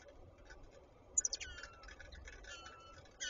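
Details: Song sparrow nestlings at an early-morning feeding give a quick burst of thin, high, sharp peeps, then softer scattered chips, over a faint low background hum.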